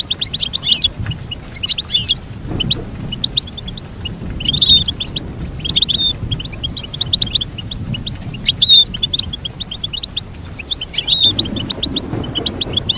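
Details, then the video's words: Goldfinch song in repeated phrases of rapid, buzzy, high twittering every second or two, with some low background rumble in between. "Teach your goldfinch to sing beautiful motivational songs"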